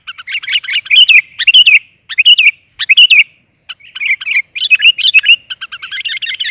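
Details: Female sooty-headed bulbul 'gajor' call for luring males: rapid bubbly chatter of short warbled notes in bursts separated by brief pauses, becoming denser and scratchier toward the end.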